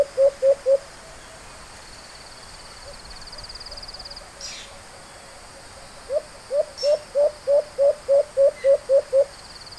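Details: Alimokon, the white-eared brown dove, calling on a hunt: three short low hoots open the recording, then after a pause a longer run of about ten evenly spaced hollow notes repeats rapidly, with a faint high buzz in the background.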